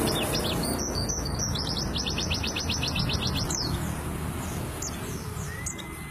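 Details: A white-eye of the dakun kelud type sings a rolling song: high chirps build into a fast, even trill of rapid repeated notes lasting about two seconds, then a few sharp notes, over a steady low hum.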